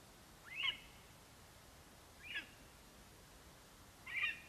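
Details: Lesser spotted eagle male calling for his mate from the nest after bringing a vole, 11 September 2021: three short, high, slightly hoarse yelps spaced well apart, the last the loudest, against soft background hiss.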